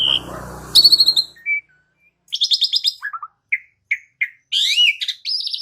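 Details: Asian pied starling song used as a lure to get other birds singing: a varied run of buzzy high notes, short clear whistles and rising slurred phrases, broken by brief pauses, with a faint low rumble at the start.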